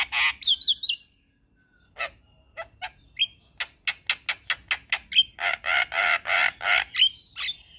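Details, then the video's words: Nodding white-eyed Javan myna in constant 'isian' song: scratchy whistles, a pause, then evenly spaced sharp clicks speeding into loud buzzy repeated notes. "Kicauan Jalak kebo Mata Putih Gacor Full Isian Manggut2"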